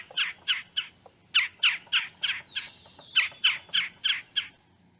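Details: Red-bellied Woodpecker from a north-central Mississippi backyard giving its chirr call, harsh rolling notes about three a second in uneven bursts, with a faint thin whistle from another bird midway.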